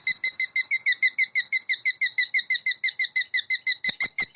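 A cockatiel sings a fast, steady series of bright, clear chirped notes, about three each second.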